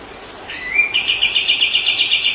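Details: White-rumped shama in a recording that trains other songbirds. A faint start, a gliding upward note, then a rapid train of crisp repeated notes at one high pitch.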